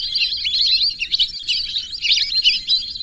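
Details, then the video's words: Whistling ducks giving a continuous stream of thin, high whistles and wavering squeaks, many notes overlapping without pause over a soft low background hiss. "whistling dack call/sound /বালি হাসের ডাক/শরালী পাখির ডাক"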